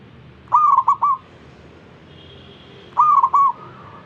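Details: A zebra dove coaxing others of its kind to sing. Two loud cooing phrases about two and a half seconds apart, each a note running into quick bubbling pulses. A faint high whine plays between them.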